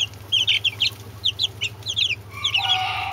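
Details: Peeping Brahma chicks with two Orpington chicks: bursts of sharp, falling cheeps in quick clusters, growing into a louder, denser chorus near the end, over a faint low hum.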